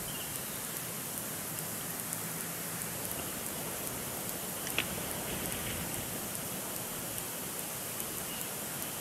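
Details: Steady rain pattering on surfaces at Big Bear Lake, with a single soft tap and no animal voices heard.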